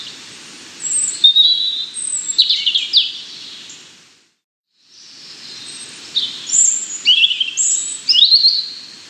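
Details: European robin delivering two bursts of high, liquid warbling with fast trills and thin whistles, separated by a brief silence, over light background hiss.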